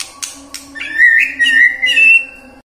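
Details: White-rumped shama (murai batu) lure song meant to prompt singing through the day: two sharp clicks, then a short string of bright whistled notes rising slightly in pitch, with a low steady hum behind.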